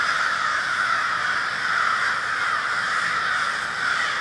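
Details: A gathered murder of crows in Minneapolis, Minnesota, recorded on February 20, 2020. Many birds caw at once in a thick, continuous, rasping din with no pauses.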